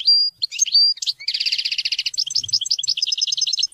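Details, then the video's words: Goldfinch singing to teach and motivate hunting and mating: opening clear whistled notes give way to a dense, fast, buzzy twittering run of repeated chirps that stays bright and high throughout. "Goldfinch songs to teach and motivate hunting and mating"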